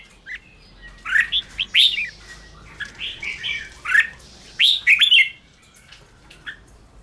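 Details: Red-whiskered bulbul 'ché' singing used to excite wild-caught caged birds: a few loud bubbly whistled phrases in the first five seconds, then the last two seconds are nearly silent.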